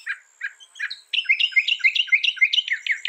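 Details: Northern mockingbird singing rapidly: a few harsh chirps, then a quick run of bright, rising and falling whistled notes repeated several times a second.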